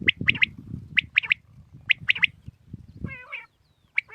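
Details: Common quail calling in the morning: sharp, high three-note phrases, quick triplets repeated about once a second, with rumbling low background noise and a brief harmonic, nasal sound near the end.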